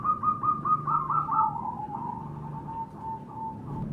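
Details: Zebra dove lure sound for captive birds: a quick string of short cooing notes that slur together and slide lower into a long, fading purring coo, with a low hum beneath.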